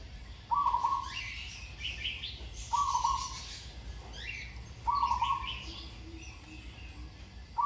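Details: A caged zebra dove over a year old, kept as a trained decoy bird and hung in trees, gives short, rolling, trilled coos about every two seconds, with thin chirps of other small birds behind.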